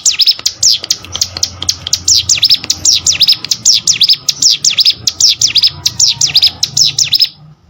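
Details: Steady, insistent song of a ciblek sawah prinia: dozens of high, clipped chirps in quick succession, stopping abruptly at the very end.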